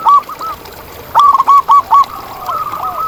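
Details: Loud local zebra dove in the wild: a crisp series of four or five evenly spaced arched coos, then a softer, longer trailing coo, with distant doves faintly audible.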